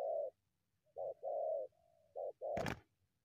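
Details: Wild spotted dove approaching a decoy from the scrub: strong hollow coos in a short-long-short phrase with a soft drawn linking note, then a sharp click near the end.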